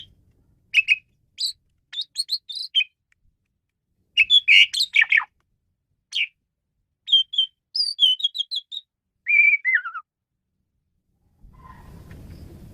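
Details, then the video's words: Jaunty, varied song of an Asian pied starling: clusters of clipped whistles and buzzy trills, a run of repeated bright notes and a falling slurred whistle, ending with low noise; a tutor recording for training songbirds. "Ocehan Burung Jalak Suren"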